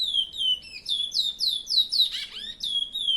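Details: Kept chestnut-bellied seed finch singing: clear whistled notes, each sliding downward, repeated several times a second in a flowing phrase with a brief harsher tangle near the middle.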